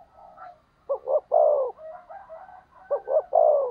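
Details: Spotted dove serving as a decoy to provoke rivals: two loud phrases of paired short coos and a longer drawn coo, separated by softer, lower coos from another dove.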